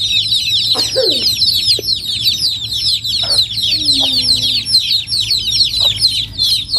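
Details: A crowd of chicken chicks in rural Noldang village gives constant high, piping peeps that fall in pitch, while an adult adds occasional deeper clucks and a drawn-out, lower gliding note in the middle.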